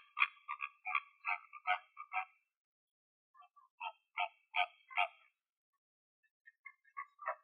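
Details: Flamingo foraging in the morning in Greek nature: bursts of nasal, goose-like honking notes repeated several times a second in short series, with pauses of about a second between series.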